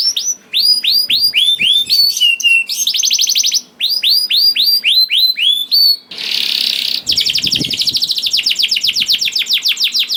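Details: Young (paud) canary singing to prompt reluctant canaries to sing: fast series of downward-sweeping whistled notes, buzzy trills, a brief harsh rasp near the middle, then a long rapid rattling trill.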